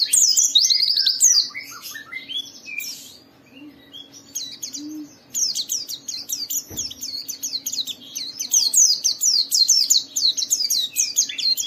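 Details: White-eye song played to trigger other white-eyes to sing: a fast, busy chatter of high slurred and twittering notes, pausing briefly, then a dense run of rapid repeated downslurred chips, with a faint steady low hum beneath.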